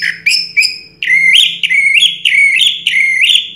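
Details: A 2022 first-prize orange-headed thrush repeats a clear, rising two-part whistle roughly every third of a second, in a steady, ringing sequence.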